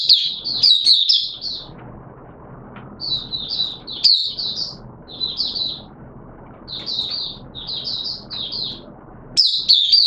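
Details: Caged oriental white-eye giving buka sing during wet weather, 6 September 2022: short clusters of high, chirruping notes repeated every second or two, with quieter pauses between groups and a loud burst at the end.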